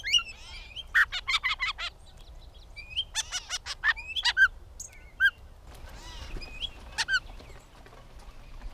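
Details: Catbird delivering a varied medley of phrases: quick clicking rattles, nasal honk-like notes and clear slurred whistles in uneven bursts, with brief pauses between groups, over a faint low hum.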